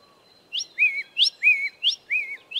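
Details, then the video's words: Grey tit singing at Smaldeel, repeating a two-note phrase about every two-thirds of a second: a sharp high upslurred note, then a lower, slightly wavering whistle, over a faint steady high hum. "Grey Tit song"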